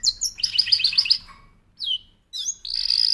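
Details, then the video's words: Short burst of canary song: a fast, bright trill, then two quick downward-sliding whistles and a high, sustained buzzy note. "L'oiseau canari chante"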